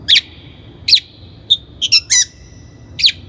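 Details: Long-tailed shrike (cendet) lure recording used to train birds: harsh, broadband chattering notes mixed with short whistled tones, given in irregular bursts with brief pauses.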